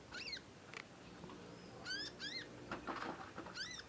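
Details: Young conin learning to sing, giving long squeaky nyecet calls: harmonic, slurred chirps in irregular bursts, with clicks and knocks between them.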